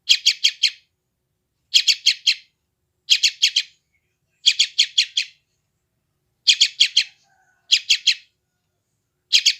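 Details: Young sooty-headed bulbul from West Java, recorded by phone: repeated clusters of three or four scratchy, high chirps roughly every one and a half seconds over a silent background. Played to newly captured wild birds to calm and tame them.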